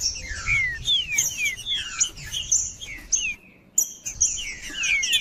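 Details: Green-winged saltator (trinca-ferro) singing, played to warm up a cold bird: rapid series of clear whistled notes, each sliding downward, repeated about twice a second, with thin high chirps above and a short break near the end.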